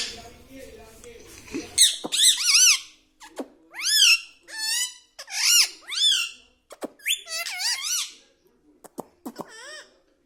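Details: Caged pet ring-necked parrot at home talking, repeating words like mummy, papa and radhe: a series of bright, bending, harmonic-rich squeaky syllables in short bursts, with pauses and a few clicks between them.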